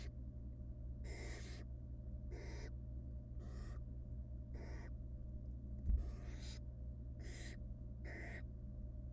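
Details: Barn owl nestlings in a monitored wild nest box beg while their mother feeds them rabbit; eight rasping hisses roughly a second apart, one brief bump in the middle, over a low electrical hum.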